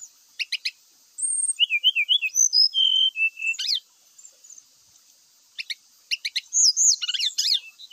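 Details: Brown-chested jungle flycatcher song, played as a lure to get birds singing quickly and described as full of varied fill-in phrases: high thin whistles, a wavering warbled run, then downslurred whistled notes, separated by pauses and bursts of sharp ticking chips.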